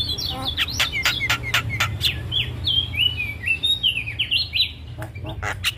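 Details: Javan myna, a training recording for caged birds, pouring out a rapid jumble of clear whistled notes, downward slurs and sharp clicks, with scattered harsh bursts, steady and unbroken throughout.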